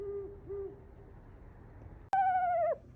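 An owl gives two soft, low hoots half a second apart, then a sudden louder, higher drawn-out hoot that drops away at the end.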